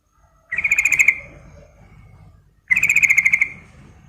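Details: Female Sooty-headed bulbul calls to a male with two strong, buzzy pulsed bursts under a second each, about two seconds apart, over a soft low background.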